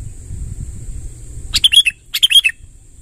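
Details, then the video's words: Sooty-headed bulbul singing a rolling song to attract wild bulbuls: two short bursts of bubbly, warbled notes about half a second apart, over constant high hiss and low background hum. "suara tembakan BURUNG KUTILANG NGEROL PANJANG | gacor kumpulkan kutilang liar"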